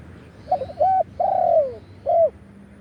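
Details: Wild spotted dove in Thailand, 'khan yon' crowing. A stutter of short notes leads to a clipped coo, then a long, downward-sliding coo and a final rounded coo, low and mellow.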